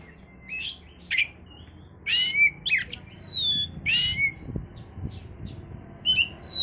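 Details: Oriental magpie-robin song used as a lure to raise breeding condition: bursts of harsh, buzzy rasps alternate with clear, high whistled notes and short descending slurs, separated by brief pauses, with a faint low hum behind.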